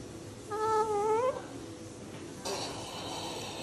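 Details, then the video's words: Cockatoo vocalizing indoors: one wavering, tonal whistle-like call lasting under a second, rich in harmonics and rising at its end, followed by a quiet room and a faint rustling noise. "How Many Sounds Can A Cockatoo Make"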